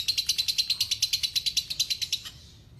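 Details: Long lovebird trill (ngekek panjang) used for tutoring: rapid series of shrill, high chirping notes, about six each second, running for just over two seconds before stopping, followed by quiet.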